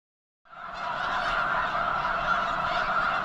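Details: Huge flock of snow geese gathered near the eastern end of Potholes Reservoir, likely before migrating north to breed on arctic tundra; after a brief silence, a dense, continuous chorus of overlapping nasal honks begins.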